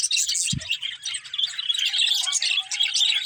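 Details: Budgies give a continuous jumble of bright chirps and warbling twitters, with a single low knock near the start.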